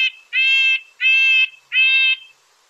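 Red-breasted Nuthatch giving three nasal, tinny toots like a tiny horn, each about half a second long, spaced roughly every seven tenths of a second.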